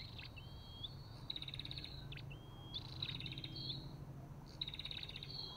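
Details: Olive-backed tailorbird calling: drawn-out rising whistles interleaved with rattling buzzy trills, over a noticeable low hum.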